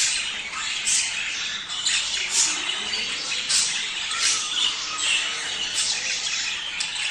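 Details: Chattering budgerigars meant to trigger breeding: a dense wash of scratchy warbles with repeated loud squeaky bursts about every half second to second.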